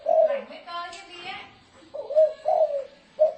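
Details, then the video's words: Thổ rền cooing of a spotted dove kept as a decoy to attract wild doves: soft low coo notes at the start and end, with faint voices and a short gap between them. "Tiếng chim cu gáy thổ rền mới hay âm thanh to rõ ràng ko tạp âm dùng kích bổi"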